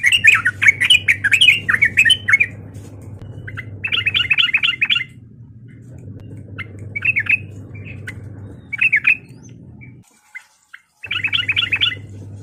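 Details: Yellow-vented bulbul giving a lively fighting call meant to provoke other bulbuls: bursts of bubbly, warbling chattered notes about two seconds long, separated by short pauses and shorter phrases, over a steady low hum.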